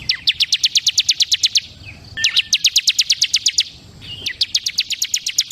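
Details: Ciblek kristal (bar-winged prinia) sings three long runs of sharp, high, rapidly repeated notes, each run starting with a brief lower note and lasting nearly two seconds.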